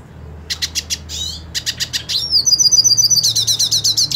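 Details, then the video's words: A pure-bred hooded siskin wanting to fight another hooded siskin sings a fast, high twittering song of sharp repeated chips, buzzy downslurred notes and a long trilled warble. "Cabecita Negra Canta Y Quiere Pelea / Pintassilgo Quero Lutar"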